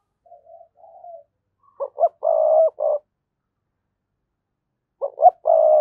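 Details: Spotted dove singing to lure rivals into a fight. Soft wavering murmured coos lead into a loud phrase of two quick notes, a long sustained coo and a clipped ending. The phrase starts again after a pause. No other sounds.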